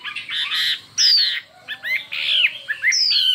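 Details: Chinese hwamei singing a fiery duel song: harsh, buzzy chattering bursts alternate with clear high downslurred whistles and quick curling notes, loud throughout.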